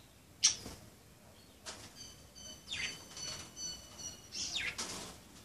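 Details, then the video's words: Budgerigars at play, giving scattered scratchy chirps with a few thin whistled notes in between, fairly quiet against a low background hiss. "Pericos australianos jugando"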